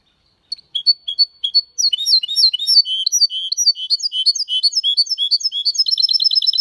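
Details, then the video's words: Hybrid of goldfinch with canary in clean Malaga-style song: spaced high chirps open into a long, rapid, warbling flow of sweet notes, ending in a fast repeated trill of bright clicks. "Mixto de Jilguero Cantando Limpio"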